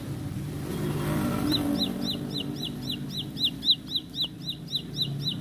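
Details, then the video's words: Bar-winged prinia (ciblek sawah) in a rapid roll song: quick upswept whistled notes repeated about four per second, starting after a second and a half over a rumbling vehicle-like background. "Tembakan Roll Spead Ciblek Lagu Full Kolibri"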